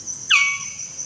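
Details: Magnificent bird-of-paradise (Diphyllodes magnificus) at its lek arena, giving one short, harsh, downslurred note over a steady high insect hiss.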